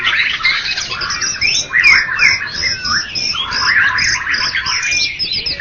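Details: White-rumped shama, Medan and Java birds, first-place winner at a songbird contest: a dense, fast run of varied whistles and sharp chirps, high and bright, with phrases tumbling over each other without pause.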